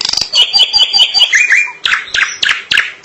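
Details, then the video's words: Drongo singing at length: quick clicks lead into a string of bright, evenly spaced whistled notes, followed by several loud, harsh, rasping syllables. "Suara asli burung Srigunting gacor panjang"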